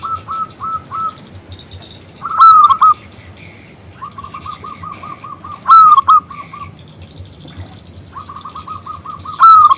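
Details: Perkutut, the local zebra dove, calling to draw a male into song: loud short bursts of coos about every three to four seconds, each followed by a rapid string of quieter, repeated notes.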